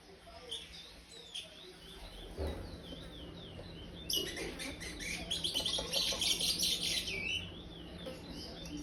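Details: Soft scattered high notes, then a burst of lively rapid warbling from a five-month-old brown-plumaged chestnut-bellied seed finch singing praia style, with a quiet low hum underneath.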